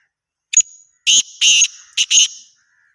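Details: Single call phrase of a black francolin: a clipped opening note, then four grating, rasping bursts in two pairs. The phrase ends abruptly, with nothing else audible.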